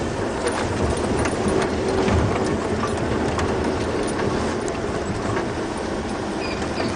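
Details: Steady engine rumble from a safari vehicle at sunrise, with broad road and wind noise throughout and no animal voices.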